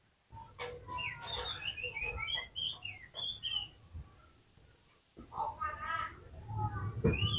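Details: Oriental magpie-robin song meant to get other magpie-robins singing, heard at lower volume: varied whistled phrases sliding up and down, a pause of about a second, then more rising whistles over a steady background hum.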